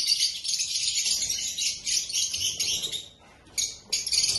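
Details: Black-masked lovebirds giving dense, high twittering chatter with overlapping shrill chirps, briefly pausing near three seconds before resuming.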